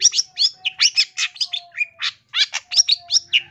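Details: Long-tailed shrike song for training other birds: a dense, loud, fast medley of chattering notes and slurred whistles, nearly continuous, with a faint low steady tone underneath.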